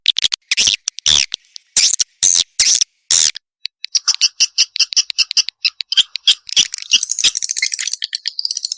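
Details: Swiftlet house lure sound, the 'tombak raja' call: a series of harsh, clicking, broadband pulses, then quick high chips that speed up into a continuous thin twittering trill.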